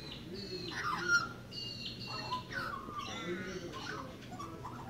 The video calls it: Song of the Magpie